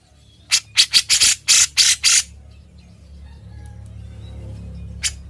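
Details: Grey-cheeked bulbul, called cucak jenggot, singing in lively, chattering form meant as a master recording for training other birds: a quick burst of loud harsh broadband notes, then quiet with faint low hum.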